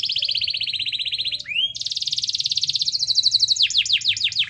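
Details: Gacor canary used to stimulate a lazy canary: a sustained high rolling trill, a brief rising slur, then a long rapid trill that shifts into quick downward-sweeping notes.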